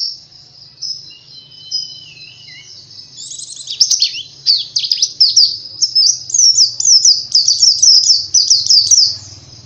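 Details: Oriental white-eye song used as a lure to make other white-eyes sing readily: a soft high warble, then a loud, fast, rising series of sharp chirping notes that runs steadily until the end, with a faint low hum beneath.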